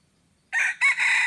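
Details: Red junglefowl used as a lure for wild junglefowl, recorded 10 March 2022, giving a harsh crow that starts suddenly after silence: a short burst, a sharp accented note, then a sustained rasping phrase cut off at the end.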